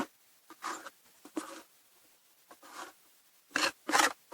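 Intermittent scraping, rubbing and rustling bursts indoors during nest box cleaning in February 2024, with no animal calls.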